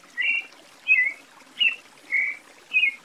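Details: Five slurred, whistled phrases from a Creamy-bellied Thrush, evenly spaced roughly every half second, alternating upward and downward inflections, with light background hiss.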